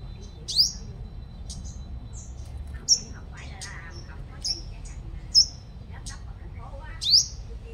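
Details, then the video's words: Decoy sunbird praised as a strong singer, Long Thành, Đồng Nai, Vietnam; scattered high, thin upslurred notes and brief twittering chips, some faint, spaced unevenly through the recording above a low hum. "Chim Hút Mật 5 Màu Mồi Siêu Hót"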